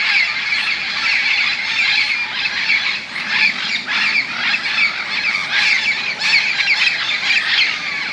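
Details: Evening roost of many parrots in tall bamboo by a golf course in Moka, Trinidad and Tobago; a thick, unbroken wall of grating squawks and screeches from the whole flock, with no pause.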